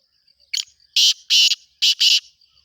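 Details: Black francolin calling during the breeding season: a short rasp, then two loud harsh double notes, coarse and grating, repeated about a second apart over a faint high continuous tone.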